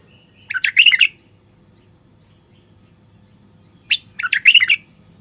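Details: Two matching bubbly phrases from a male common bulbul, each a short run of chirpy, fluty notes, about three seconds apart. The song is meant to stir silent wild bulbuls to sing and breed.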